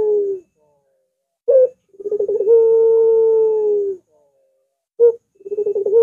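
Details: Puter dove lure recording. Each phrase is a short sharp note, then a fast rolling burble that smooths into a long, even hooting coo of about a second and a half, then repeats.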